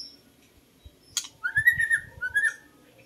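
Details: Song of a white-rumped shama, used as a bird lure. A sharp click is followed by two drawn-out, slurred whistles, with faint low thumping underneath.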